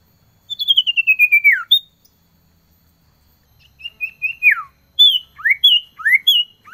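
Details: Male common iora (cipoh) calling a female, a cold-season lure recording: a fast descending trill of about ten bright notes, then a pause and a string of sharp, downslurred chirps and short whistles.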